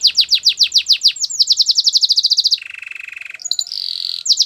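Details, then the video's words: Belgian canary singing for training: quick tumbling descending whistles speeding into a tight trill, then a lower buzzy rolling trill, a brief high note and a sustained bright warble. "Your canary is silent ? turn it around so it will sing a long | Belgian canary"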